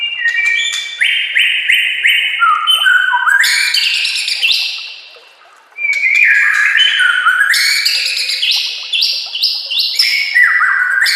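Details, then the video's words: White-rumped shama master song for training shamas: loud whistled phrases stepping downward in pitch, mixed with sharp chips, a short pause, then another cascading phrase. "Masteran murai AMPUH yang di pakai semua burung juara PASTI CEPAT GACOR DAN NGEPLONG"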